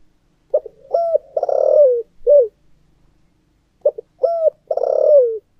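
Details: Decoy spotted dove cooing in the 'thổ' voice style: a short note, a held coo, a long rolled coo sliding down, then a clipped final note. The phrase repeats after a pause in a quiet setting.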